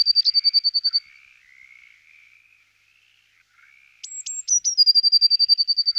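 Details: Eurasian blue tit singing: a clear high trill of rapid even notes, a pause with faint lower twittering, then a few very high thin notes dropping into another fast ringing trill.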